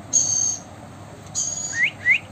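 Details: Blue Indian ringneck parakeet described as talking; two thin high drawn-out tones, then two short sharp upward-sweeping whistles close together.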